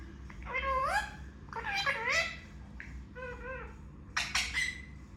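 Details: A pet Indian ringneck parakeet mimicking words gives four bursts of nasal, wavering, word-like phrases, each under a second, with short pauses between, in a quiet room.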